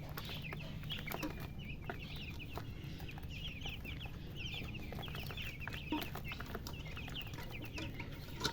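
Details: Chicks peeping continuously, quick high downslurred chirps in loose clusters, several birds calling at once above a low droning background hum and occasional taps.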